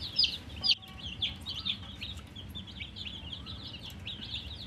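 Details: Thirsty coloured baby chickens call for drinking water, giving sharp high peeps roughly twice a second, a few louder downslurred chirps standing out early against a softer chorus of chicks and low hum.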